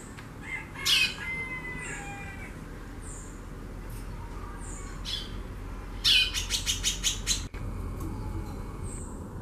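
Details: Female White-bellied seedeater calling in xaxando style, very active: a harsh high burst, scattered thin whistles, then a rapid string of about seven crisp ticking notes.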